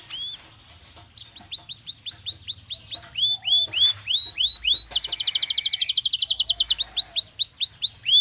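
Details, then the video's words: Belgian canary song used to train canaries: rising hooked whistles repeated in a series, a stretch of fast notes, then a bright rapid trill followed by more curved whistles; a soft low hum underneath. "Som de 1 Hora com Canario Belga Cantando Naturalmente"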